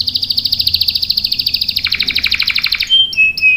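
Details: Canary in a long rolling song used to lure and tutor young birds. It starts with a fast, even, buzzy trill that drops lower near the end, then turns into short clear whistles and brief bursts.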